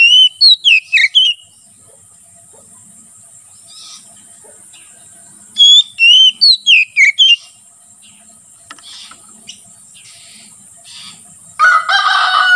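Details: Oriental magpie-robin (kacer) singing in ngeplong style, a song used to tutor birds and lure wild magpie-robins in forest: two bursts of sharp, descending whistled notes with long quiet gaps, then a harsh noisy burst at the end.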